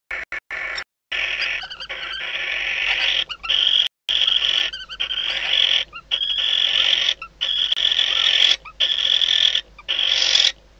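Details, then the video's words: Barn owl pair in a nest box at Riet Vell Nature Reserve, Ebro Delta, during mating at night before hatching. A rapid series of high, shrill, chittering bursts, broken by frequent short gaps. "AMOR LECHUZO - Lechuza común"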